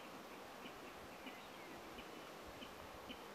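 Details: A spotted crake at night in a reedbed gives faint, sharp whip-like notes, repeated about every half second to a second, over a steady hiss of background noise.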